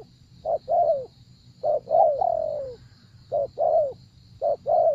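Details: Spotted dove giving repeated soft coo phrases, each a brief clipped note then a drawn-out, gently descending coo, with short pauses between phrases.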